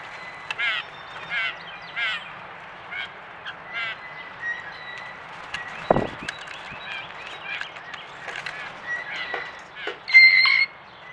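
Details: Blue Jays at a backyard feeder, caught by a trail camera amid woodpecker interactions: harsh, nasal jeering calls in quick series, then a clearer whistled note near the end, with a sharp knock midway.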